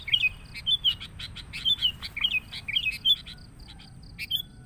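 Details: Lure recording of sooty-headed bulbul, noisy style: a string of bright rolling whistled phrases over quick chattering notes, thinning out toward the end.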